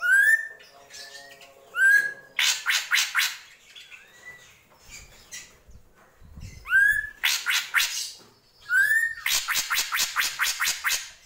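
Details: Drongo (srigunting krantil) delivering gentolang song, mixing short upslurred whistles with long runs of rapid buzzy, rattling pulses, several rattle bouts across the recording, otherwise quiet.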